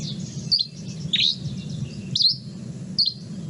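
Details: Dusky Flycatcher song in the Boise, Idaho area, from drier coniferous forest: four brief, high, sharp twittery notes, some rising and some falling, about a second apart over a low steady hum.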